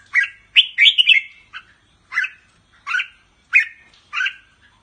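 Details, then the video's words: Caged Thai red-whiskered bulbul of the Pa La-U strain, singing doubled phrases: a rapid cluster of bright whistled notes, then evenly spaced single warbling notes roughly every second, in clean quiet surroundings. "นกกรงหัวจุกสายป่าละอู ทั้งร้อง ทั้งริก นกร้องเบิ้ลๆ ริกๆ"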